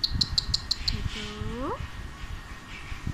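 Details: Male pet Alexandrine parakeet reacting excitedly while watching itself on a laptop screen: a quick run of six sharp high clicks, then a smooth rising whistled note with layered overtones, over low room rumble.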